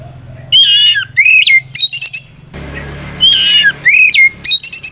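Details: White-rumped shama song used to incite rivals into answering; harsh buzzy opening note, a falling whistle and high chattering trills, the phrase repeated twice over a low background hum.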